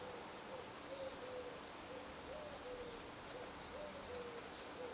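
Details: Eurasian wren nestlings, 15 August 2011, giving thin, very high squeaky chirps in quick bursts, with a soft low hooting tone repeating in the background.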